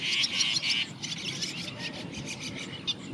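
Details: Juvenile brown rock chat calling: a quick run of bright, high chirps packed into the first second, then softer scattered notes over a steady low background rumble.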